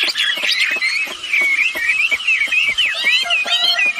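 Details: Red-billed blue magpie calls, female and male, played as a lure for other birds: a tangled stream of zigzag whistles and chirps with steady clicking underneath.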